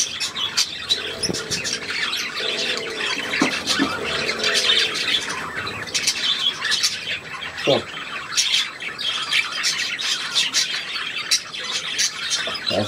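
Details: Budgerigar flock chattering, recorded 3 April 2017: busy overlapping high chirps and clicks run without pause, while a few lower curved squawks and faint murmuring sounds appear underneath early on.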